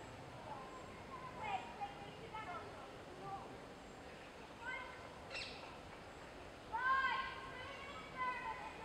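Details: In Richmond Park, on 6 July 2016, a juvenile green woodpecker gives scattered, harsh, ringing notes in short bursts, with a quick run near the end, over steady background hiss.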